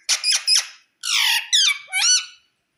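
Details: Indian ringneck parrot calling at home: three quick, harsh chattering notes, a pause, then a longer buzzy squawk and two rippling, wavering calls, loud and high in a small quiet room.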